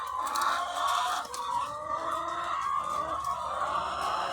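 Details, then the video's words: Farm full of thousands of laying hens, a continuous babble of clucks and longer squawks blending together over a quiet low mechanical hum. "The Sound of Thousands of Egg-Laying Chickens"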